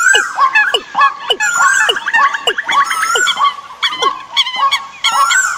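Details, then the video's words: Decoy bird calls played for the migration season: a dense chorus of overlapping harmonic chirps and sharp down-slurred notes, many birds calling at once with barely a pause, from a 2021 compilation. "tiếng Chim mồi mùa Di cư"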